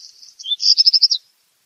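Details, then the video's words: Black redstart singing one brief phrase: thin high notes followed by a quick series of about six scratchy, pulsing notes, finishing abruptly into silence. "o canto do RABIRRUIVO-PRETO/BLACK REDSTART SONG"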